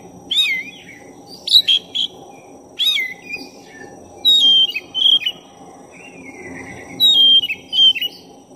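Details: Actively singing black-breasted oriental magpie-robin used to rouse another magpie-robin: a rich run of loud whistled phrases, swoops and paired sharp notes, some repeated, with a long soft whistle in the middle, over low hum.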